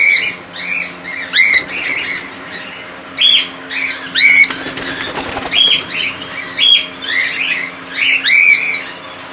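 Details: A cockatiel colony with several birds giving short, arched, whistled chirps in quick bursts about every second, and a brief flurry of wing flapping near the middle.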